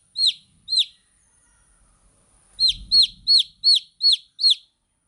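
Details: Chicken chicks chirping: two high falling peeps, a pause, then six more in a regular series, with a low thumping noise under the first of them.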